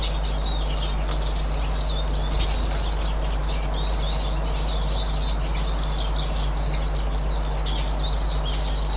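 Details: Dense, continuous high-pitched chattering of many Eurasian siskins recorded 18 March 2024, with little pause between notes, above a persistent low hum.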